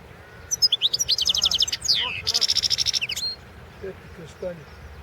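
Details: Goldfinch singing at the 2016 world championship in goldfinch song: rapid chattering notes, a long downslurred whistle, then a fast ringing trill; faint low sounds follow.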